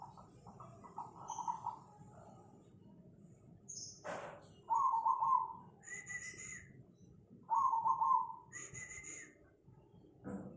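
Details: Zebra dove (perkutut cemani) singing in Tangerang, Banten, Indonesia, on 24 August 2020: two rolling, trilled coo phrases repeated about three seconds apart, with higher thin whistled notes from other birds between them.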